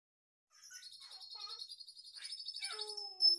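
A red siskin sings a fast, high, buzzy twittering song, with trills and thin whistles threaded through, including phrases copied from other birds.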